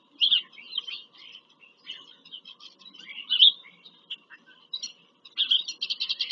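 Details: Bald eagles at a Pennsylvania farm-country nest during a visit, 5 February 2023, filmed by a live nest camera. Irregular shrill squeals lead into a fast, evenly pulsed staccato chatter at the close.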